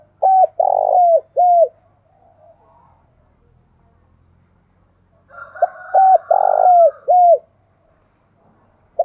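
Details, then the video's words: Spotted dove calling in the mountain forests of Đồng Nai, Vietnam: two phrases of low, hollow coos near 700, each a short note, a longer throaty coo and a falling final note, separated by a quiet pause. "Tiếng chim cu gáy thúc và gáy gọi vang cả núi rừng Đồng Nai"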